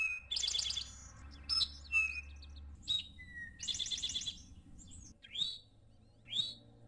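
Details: Eastern Towhee in the Ozarks giving its drink-your-tea song: brief lead-in notes and long buzzy trills, repeated twice, among scattered whistles and chips over a low background rumble.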